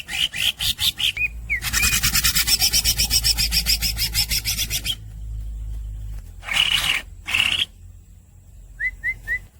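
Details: Greater green leafbird in continuous fast song: a quick chattering series with whistled slurs, then a long steady rasping trill lasting about three seconds, two short buzzy bursts, and finally three brief rising whistles.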